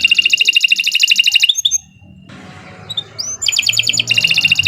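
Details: Canary gacor song used as a singing lure for other canaries: a fast rattling high trill, a brief quiet gap, then a rising upslur launching into another dense trill.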